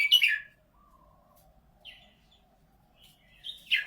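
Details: Red-whiskered bulbul from Thailand, praised for a golden voice, gives a bright chirpy phrase at the start and another at the end, separated by quiet with a faint low tone.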